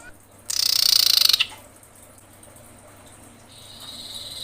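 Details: Female common iora calling the male, giving a fast, dry, buzzy rattle of rapid pulses that lasts about one second before stopping abruptly. A faint high hiss follows.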